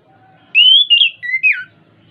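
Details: Orange-headed thrush song meant to get a caged bird singing: one continuous high whistled phrase that wavers, dips to a steady lower tone, then rises and falls in a swift closing slur.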